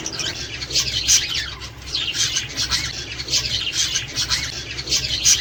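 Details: Australian budgerigars warbling to encourage pairing, breeding and egg laying: continuous soft, scratchy high chatter with quick chirps woven through, fairly even in loudness across the whole stretch.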